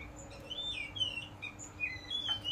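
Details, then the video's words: Ngeplong bird song, used as a lure to train a magpie robin (kacer) to sing and respond: faint, high whistled phrases with sliding, wavering notes over a steady background hiss. "suara ngeplong cocok buat pancingan masteran kacer"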